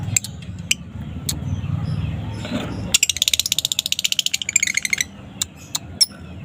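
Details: Young fighter lovebird singing an afternoon ngekek as a lure for other lovebirds. Scattered clicks and a low background rumble come first, then a rapid, high, rattling trill for about two seconds, fading into sparse chips.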